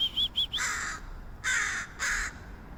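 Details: Crow in San Francisco making strange noises: two short clear whistled notes, then three loud, harsh, hoarse caws, each lasting about a quarter second, spaced roughly half a second apart.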